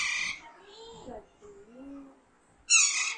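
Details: Hand-raised baby Alexandrine parakeet kept as a pet, in a talking-training session: a harsh squawk opens and another loud one closes, with quiet human speech between them.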